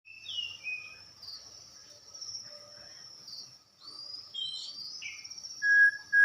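White-rumped shama singing a varied run of clear whistled notes, some sliding up or down, ending in a loud pure whistle, over a steady high insect drone.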